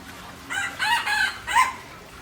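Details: Junglefowl from Aceh crowing: a loud harmonic crow in three bursts over about one second, the last syllable rising, set against a low background hiss.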